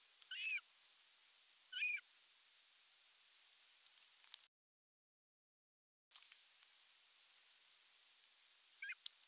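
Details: Osprey calls at nest #1 in Satakunta, western Finland, on July 19, 2022, when the male delivers a big fish: two high, piercing chirps about a second and a half apart, then a gap of silence and faint ticking chips.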